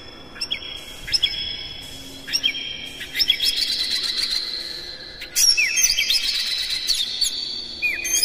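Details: Oriental magpie-robin song used to trigger singing in other birds, with repeated bright whistles each started by a sharp upward click, growing busier and more layered toward the end.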